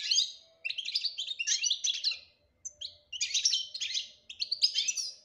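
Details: European goldfinch in 'batbata' song style: bursts of quick, liquid twittering phrases about a second long, separated by short silences, with a faint steady hum behind.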